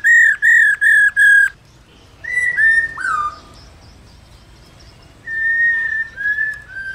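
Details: Female laughingthrush calling steadily to stimulate males: four loud, even whistles in quick succession, then three downward-slurring whistles, and after a gap three more sustained whistles, the last falling.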